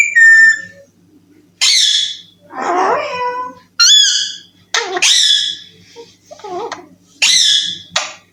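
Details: Pet Alexandrine parakeet chick in a small room, uttering loud harsh squawks and nasal, speech-like syllables, including a clear whistled tone at the start, in separate bursts spaced a second or so apart.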